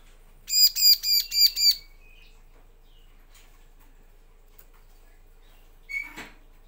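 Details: Bar-winged prinia call used as a lure to prompt males and females to answer: five loud, buzzy, ringing notes in quick succession over about a second, then quiet apart from a faint note and brief rustle.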